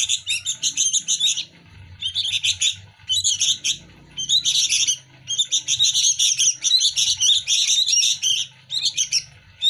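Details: Sooty-headed bulbul chicks competing for hand-fed food give rapid, high, scratchy chirps in busy overlapping bursts, several birds clamouring at once with brief pauses between bouts.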